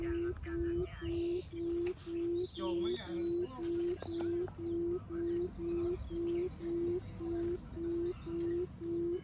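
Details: Decoy quail calling to attract others with a long run of short, low, even hoots, about two per second. A second bird adds sharp rising whistled notes above them almost every beat.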